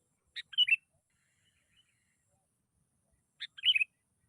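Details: Sooty-headed bulbul lure song, played to get other bulbuls singing: two short bubbly chirping phrases about three seconds apart, separated by silence.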